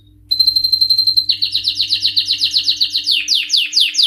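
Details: High-pitched steady whistle from an excited male canary, switching into a lively trill of falling syllables repeated about four times per second, loud and continuous, with a soft background hum.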